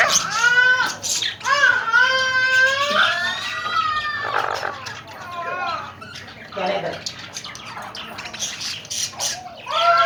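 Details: Talking Alexandrine parakeets, tame and active birds in Pakistan, give high-pitched, speech-like phrases in quick wavering syllables, with raspy squawks in between.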